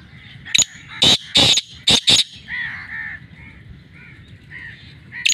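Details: Black francolin giving loud repeated harsh calls, bursts of buzzy broadband notes in quick pairs, with softer warbling bird sounds between them.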